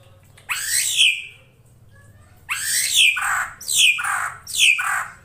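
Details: Female drongo calling so a male will come closer, from an Indonesian bird lure recording: a single harsh falling note, a pause, then three more rasping down-slurred calls in quick rhythm, with faint low hum beneath.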